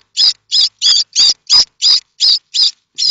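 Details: Common starling nestlings in a nest at Théding, France, on 7 May 2024, begging as they await a parent with food: nine harsh, rasping, high bursts at a steady pace of about three per second.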